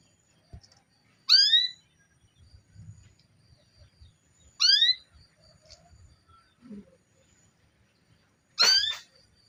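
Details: Female canary calling to stir a male into singing: three loud upswept, harmonic call notes spaced roughly three to four seconds apart, with faint low rustling between them.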